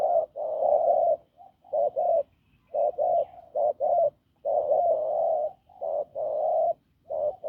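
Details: Wild-caught spotted dove with a hoarse, strong voice cooing: low, rough coo notes, mostly in short pairs and longer drawn-out phrases, with brief pauses between bursts.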